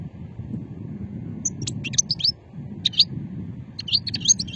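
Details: Goldfinch from Hammam Guergour in Sétif, Algeria, 2020, delivering old-strain style song: scattered high chirps and quick rising twitters in short clusters, with steady low hum underneath.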